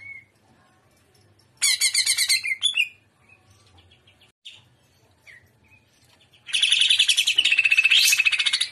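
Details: Full trotolan singing from a greater green leafbird in shrimp style: an energetic chattering phrase, scattered soft chips, then a long continuous run of rapid rattling notes with an upward swoop inside it.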